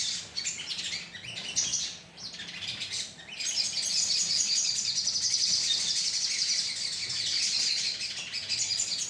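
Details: Many crimson sunbirds chattering together, used for luring: scattered sharp chirps at first, then a steady, high, sizzling twitter of overlapping voices for the remaining seconds.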